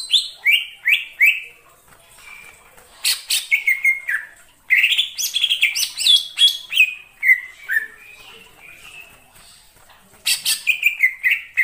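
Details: In wild forest, a greater green leafbird delivers quick, varied phrases: short falling whistles repeated three times, then dense tumbling notes and slurred high chirps, with brief lulls between bursts.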